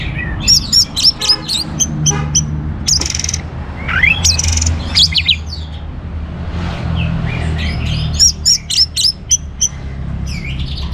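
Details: Orange-headed thrush in lively song, used to stimulate other birds to sing: rapid bursts of high sharp notes and looping whistles, pausing midway, then resuming with quick repeated notes, over low background noise.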